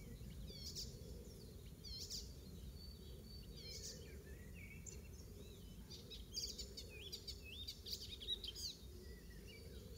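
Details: Icterine warbler singing in a garden at Pieterburen, 17 May 2022, imitating other birds including the oystercatcher; a varied, restless run of high whistles, slurred notes and chatter, busier toward the end, over low background noise.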